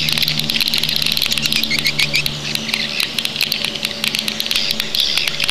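Swiftlets chatter in a dense stream of high twittering chirps and rapid clicks, with a steady low electrical hum underneath.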